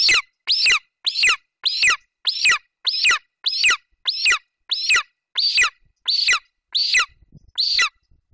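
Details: Golden eagle eaglet in Bucovina, 27 July 2021, calling over a Eurasian hare delivered to the nest by its mother, until she leaves. A steady run of about fourteen shrill, descending, squealing yelps, a little under one per second.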